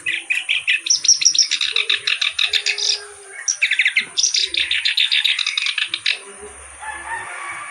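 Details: Reed warbler, known as kerak basi, pours out a steady run of harsh, rattling chatter pulsing several times a second, then goes quiet. Softer calls and a constant high tone follow.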